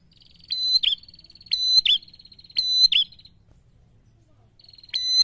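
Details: Rival-provoking gacor ngalun song of a prinia: three rapid buzzy trills with sharp, accented double-note endings, then a pause, then one more phrase.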